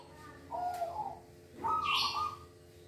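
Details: Caged silver-variety zebra dove, played to coax other doves into singing, giving two short cooing phrases, the first low and mellow, the second ending in a brighter rising note, over a faint steady hum.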